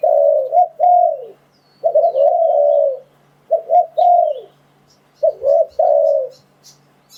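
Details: Cooing of a spotted dove used to lure wild doves, in repeated phrases of short paired notes and a longer wavering coo that falls away, with faint high ticks and chirps in the background.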